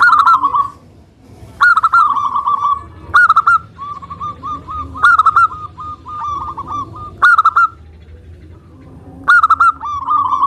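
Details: Zebra dove, a local Indonesian bird, singing loudly to lure other doves into song: loud rolling coo phrases roughly every one and a half to two seconds, separated by softer, bubbling cooing notes.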